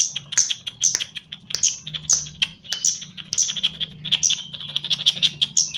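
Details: Chestnut-capped laughingthrush, a caged bird in training, giving a busy run of sharp high chirps and short whistled notes, about forty-seven per minute at uneven spacing, with a faint low hum beneath.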